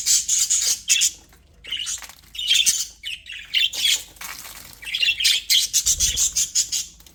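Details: Budgerigars in an aviary trade sharp squawks and twittering chirps in uneven bursts, ending in a fast stuttering run of short notes.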